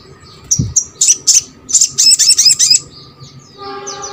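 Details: Brown-throated sunbird singing, used to coax reluctant birds of its kind into song: a quick run of sharp, high chirps and squeaky trilled notes for about two seconds, then a faint hum and background murmur.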